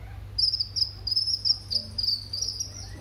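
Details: Sunbird lure and tutor recording meant to make other birds respond and sing: a long, thin, high trill holding a steady pitch, broken into quick pulses, lasting about three seconds against a low steady hum.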